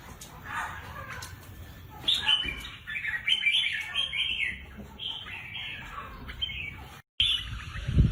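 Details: Red-whiskered bulbul kept caged for song contests gives a string of bright warbled phrases after a quiet start, then a brief cut of silence and a final short burst.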